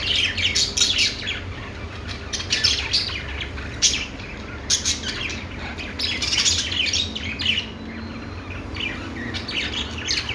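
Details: Budgies chattering together in steady warbling song, quick high chirps and squeaky trills in bursts with brief pauses, a flock of parakeets twittering over a faint low hum.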